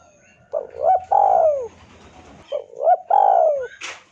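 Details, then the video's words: Spotted dove sounding a lure call meant to make a rival respond: two matching coo phrases about two and a half seconds apart, each a short note, a rising hooked note, and a long descending coo, ending with a brief rustle. "PANCINGAN SUARA BURUNG TEKUKUR DERKUKU MEMANGGIL LAWAN IKUTAN BUNYI"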